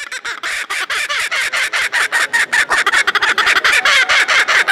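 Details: Laughing kookaburra on show at a poultry-yard exhibition in Beauvais, Oise, France, in May 2019, giving a rapid run of harsh, raucous chuckling notes, several per second, sustained loudly throughout with no pause.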